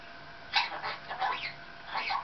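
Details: Pet Maximilian's pionus talking with its owner while waiting for a delivery: a run of raspy, speech-like chattering syllables with quick rising and falling inflections, in three clusters over about two seconds.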